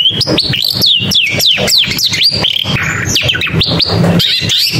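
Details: Long-tailed shrike delivering a string of arching whistles that rise and then drop, repeated in quick succession, followed by softer chatter, over a steady clicking background.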